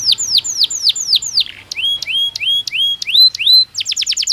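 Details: Caged canary singing during breeding season: runs of loud downward-sweeping whistled notes, then a series of rising slurred notes, closing with a rapid high trill.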